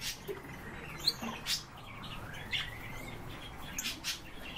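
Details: Eurasian bullfinches recorded at very close range, around ten centimetres; a few quiet whistled notes, including one long, slowly rising piping tone, amid light rustling and faint clicks.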